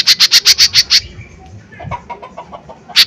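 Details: Lesser green leafbird in a loud lure recording used to provoke other leafbirds: seven rapid, piercing, sharp notes within one second, followed by faint softer chirps and a final sharp note.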